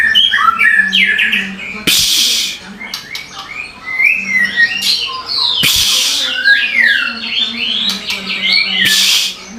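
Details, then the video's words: Busy chirping of songbirds, with rapid sliding whistles and twittering phrases mixed with several sharp, harsh noise bursts. "Suara burung berkicau"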